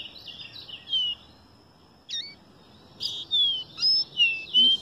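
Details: Caboclinho singing: clear high whistled phrases, some sliding downward, delivered in short bursts separated by pauses, with a faint thin steady tone in the quiet background.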